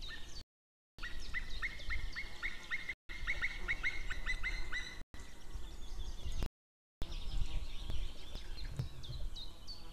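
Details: White-tailed eagles calling outside on 2 May 2016 near midday, female calling with a male farther off, then both together: rapid runs of sharp, yelping notes in several bursts, with thin twittering of small birds above and short silent gaps.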